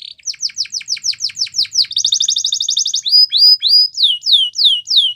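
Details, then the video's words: Singing canary in a training song: a series of quick descending chirps, a dense rapid rolling trill, then loud repeated downward-sweeping whistled notes. "Canary Bird Singing | The Best Canary Training Song"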